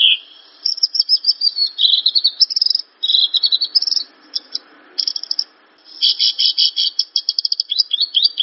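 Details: Masteran song of a Javan bush lark, played so that untrained birds respond: fast high trills and chattering bursts separated by brief pauses, with a dense run of clipped notes in the second half. The background is quiet.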